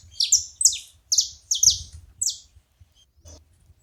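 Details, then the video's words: Saffron finches calling together, a few bursts of high, descending chips in pairs that fade out after about two and a half seconds, with low rumbling background noise and a faint click. "Canarinhos da terra junto fazendo barulho"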